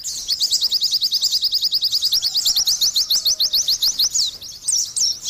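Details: Fast, even chains of high, thin rising notes from a vigorously singing Oriental white-eye, ending in a couple of longer swooping whistled phrases.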